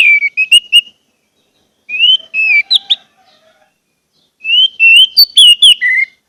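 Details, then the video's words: Orange-headed thrush song used as a lure to make silent birds start singing and sing freely: loud, clear whistled phrases with rising slurs and quick warbled notes, in two bursts separated by a short pause. "pancingan anis merah agar anis merah macet cepat bunyi dan gacor"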